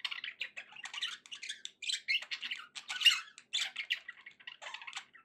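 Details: Happy budgerigars heard more quietly indoors, giving a steady patter of short squeaky chirps and soft scratchy warbles at a fast, irregular rate.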